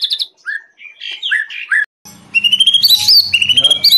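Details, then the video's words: Varied whistled song of a white-rumped shama in fighting style: clear slurred notes and short phrases, a brief pause, then a louder run of high rising and falling whistles over a faint low hum. "Gaya tarung MURAI BATU SUPER"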